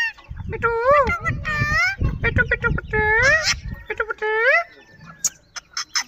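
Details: Green ring-necked parakeet, called Kashmiri tota, talking: high, nasal speech-like phrases with wavering, rising and falling tones in quick bursts, some low voice-like sounds alongside, ending in scattered sharp clicks.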